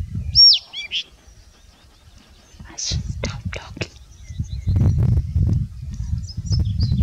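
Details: Blyth's reed warbler singing in Finland gives a few high, clear phrases: a loud down-slurred whistle, then scattered sharp notes, over steady low rumbling background noise.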